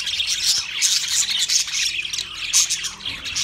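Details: Budgerigar pairs, twenty in all, fill the air with steady high chirps, squeaky whistles and grating squawks overlapping in a dense, unbroken chatter.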